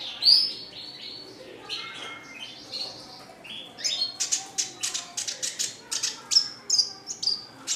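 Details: Red siskin song: wheezy, buzzy twittering at first, then a run of sharp, clicking chirps repeated quickly, ending in high whistled notes.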